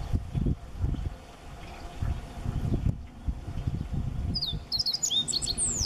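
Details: Siberian meadow bunting (Emberiza cioides) singing at very close range from a tree in a park garden, Higashi-Mikawa, Japan, May 2017: a quick burst of high, varied chips and slurred notes after a long stretch of low wind rumble.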